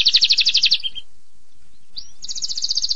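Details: Canary giving a short fast trill that ends in a lower note, a pause of about a second, then a rising note and another rapid, even trill.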